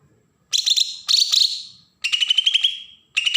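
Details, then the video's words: Bornean green leafbird, Berau, Kalimantan, singing in the rough besetan style meant to provoke new birds: four rasping, buzzy bursts with rapid stuttering pulses, some phrases sliding slightly upward before trailing off. "cucak ijo Kalimantan suara besetan pancingan burung bakalan"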